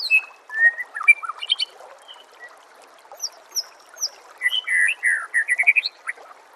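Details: Song of a white-rumped shama in a master recording for training songbirds: scattered whistles and chips, then a rich rapid run of slurred, descending warbled notes with high squeaks, over rushing background noise.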